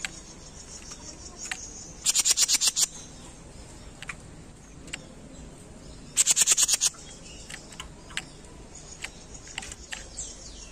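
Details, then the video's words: A small bird, a "jenggot" training recording, gives two bursts of rapid, very high buzzy notes, about eight pulses each and four seconds apart, with scattered thin ticks between. "Masteran Jenggot mini gacor"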